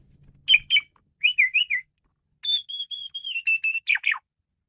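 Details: Male Asian pied starling giving a varied song for luring birds: paired chirps, a wavering whistled phrase, then a long steady whistle that breaks into buzzy descending notes.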